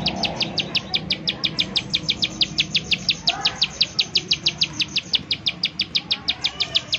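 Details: Bar-winged prinia calling in 'nembak' fashion, used as a lure to prompt other prinias to sing: a fast, regular string of high, sharp chips running throughout, with a brief faint lower call midway.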